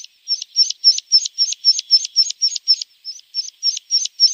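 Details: Javan bush lark song used as tutor song for training birds: a rapid string of short, sharp high chirps with upswept tips, repeated about four times a second in a steady, even rhythm, with no other sounds.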